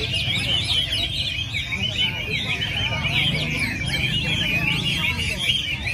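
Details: Weekly training gathering of Chinese hwamei in early December: several birds pour out rich, fast, jumbled whistles and twittering trills at high pitch, phrases overlapping without pause, over a low background rumble.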